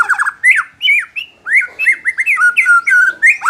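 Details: White-rumped shama singing, played to make a less aggressive bird more competitive: loud, fluid whistled phrases with steep upward and downward slurs, clipped chips, and brief pauses between phrases.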